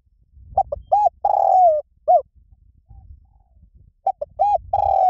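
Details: Spotted dove cooing in the song style called lio tan, played to lure and train doves to coo back: two short low coos, a double coo, then a long drawn coo and a brief final note, the phrase repeating after a pause.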